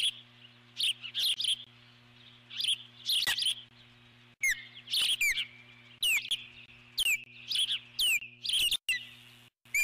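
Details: Eagle on the nest persistently calling at an intruding large bird. Loud, piercing chirps come in bursts, with sharp down-slurred whistles every second or so in the second half, over a low hum.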